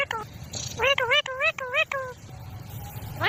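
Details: Green talking parrot producing a quick run of five wavy, speech-like syllables with strong harmonics, each dipping and rising in pitch, followed by quiet background hum.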